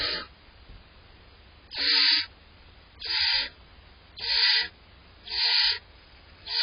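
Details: Nest-box barn owl owlets in July, waiting for parents with prey, produce a regular series of harsh snoring hisses, four strong bursts roughly every second after a quiet start.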